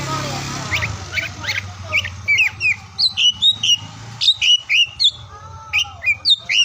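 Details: Oriental magpie-robin song meant to stimulate silent or lazy birds: regular clear whistled notes repeated rapidly over a steady background hiss, with a softer lower trill in places.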